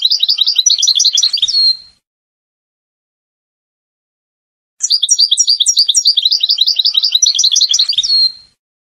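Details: European goldfinch of the Moroccan Oued type, song played to train chicks: long fast tinkling trills of repeated chirps, about two seconds each, two bursts separated by silence, ending on a drawn whistle.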